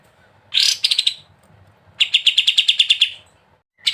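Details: Sooty-headed bulbul, 'ngebren' style: a harsh burst of rapid notes, a short gap, then a quick even string of about ten bright chips before silence and a fresh start.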